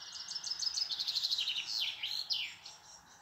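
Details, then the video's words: A European robin sings a rapid, high, liquid phrase of tinkling notes that trickle and slide downward, with quick twittering runs and a final falling flourish. "Rotkehlchen singt"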